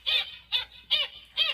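Black Skimmer giving four harsh, nasal, barking notes, evenly spaced about every half second, with nothing else heard.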